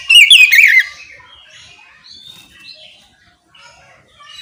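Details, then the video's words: Oriental magpie-robin in ngeplong song, meant to lure other magpie-robins into singing back: one loud, quick flourish of high, twisting whistled notes lasting under a second, then near silence with faint scattered chirps. "Suara kicau kacer ngeplong memancing kacer apasaja ikut bunyi nyaut ngeplong gacor!"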